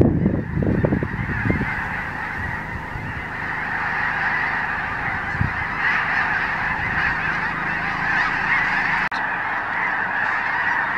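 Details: Snow Geese massed in a huge winter flock at Blackwater National Wildlife Refuge on Maryland's Eastern Shore, 18 February 2023; dense, ceaseless honking chorus, with rumbling low bursts early on and a sharp click near the end.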